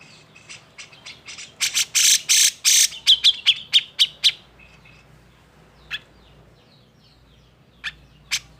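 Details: Agitated grey-cheeked bulbul song used to goad silent birds into singing: quick chirps build into loud raspy bursts, then a rapid run of whistled notes, followed by sparse isolated chirps.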